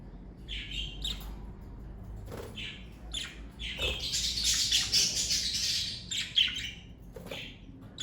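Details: Pet budgerigars in a parakeet family trade scratchy chirps, then burst into a sustained, busy warble of squeaks and clicks for about three seconds before more single chirps.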